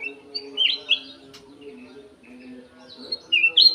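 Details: Golden-fronted leafbird kept in an aviary, giving short clear whistled phrases that slur up and down, in two bursts separated by quiet, over a steady low hum.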